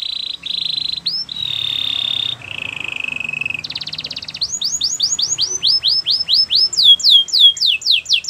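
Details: Canary song for training: short buzzy tours at two pitches, a rattling trill, then a long, evenly spaced run of clear downward-slurred whistles rising higher toward the end.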